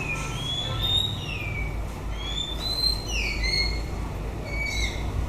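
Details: White-rumped shama singing as the breeding season ends: smooth, slurred high whistles, some rising and some falling, spaced through the phrase over a steady low background rumble.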